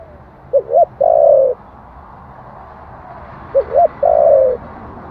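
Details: Spotted dove, coo in the 'giọng thổ' style, used to rouse wild doves. Two clean phrases about three seconds apart, each a short double coo leading into a long, steady, mellow note, over faint hiss.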